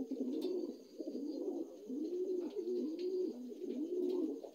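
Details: Dun Lahore pigeons, new adults: low, rolling coos repeat steadily, with rising and falling wavering phrases that run together almost without pause, and faint clicks above.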